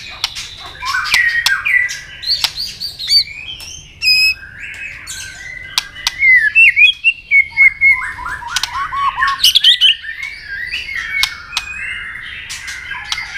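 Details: White-rumped shama singing a long double-note fighting song with tail clicks to provoke a rival: varied, fast warbles, slurred whistles and high thin notes in dense bursts, peppered with loud sharp clicks.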